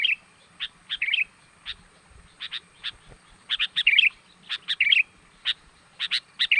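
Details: Sooty-headed bulbul lure call used to draw wild birds in: short sharp chirps scattered irregularly, with occasional slurred, warbling rising-falling phrases, in an otherwise quiet setting.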